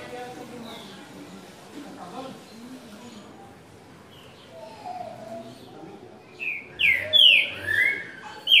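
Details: Green-winged saltator from Brazil singing the six-note 'Boi' song style: after quiet low murmuring, a burst of loud, clear whistled notes sliding up and down arrives near the end, with voices faintly behind.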